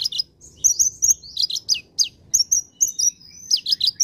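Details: Vigorous olive-backed sunbird song from a masteran tutor recording for cage birds: evenly spaced bursts of piercing high chirps and thin whistles, several per second, over a quiet background.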